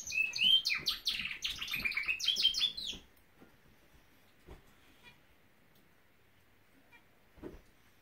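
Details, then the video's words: A male Norwich canary sings a three-second burst of fast, high, bright notes with quick rolling trills, then falls silent apart from a few faint clicks. "Nowrich Canary singing!"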